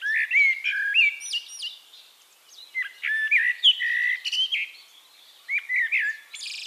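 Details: Close Eurasian blackbird singing at Castricum in the Netherlands: loud warbled, fluted phrases with quick upslurs, a short pause, more mellow whistles, and a closing high rasping flourish.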